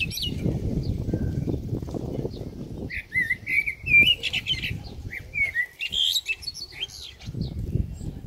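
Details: A common blackbird in New Zealand sings unhurried, mellow fluted phrases that end in high, scratchy twitters, over low rumbling wind noise.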